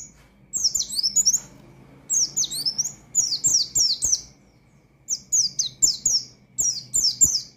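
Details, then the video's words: Oriental white-eye in energetic 'ngalas' song aimed at provoking rival birds: fast strings of shrill, descending twittery sweeps in repeated bursts of three to five notes, separated by brief pauses, with soft knocking sounds. "Burung Pleci Gacor Ngalas Nembak Mangil Lawan,Memicu Emosi Pleci Bahan"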